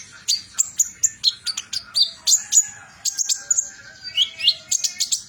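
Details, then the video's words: Sunbird of a metallic mutation, locally called kolibri ninja, delivering fierce trotol song: quick stuttering series of piercing high chirps and short slurred whistles, nearly continuous for five seconds. "Kolibri ninja trotol Ganass,mutasi metalik"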